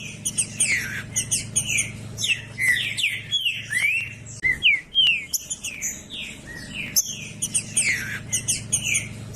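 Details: Loud green-winged saltator song meant to stir another bird into singing; clear whistled notes sliding up and down, delivered in dense phrases with brief pauses, some higher chirping mixed in.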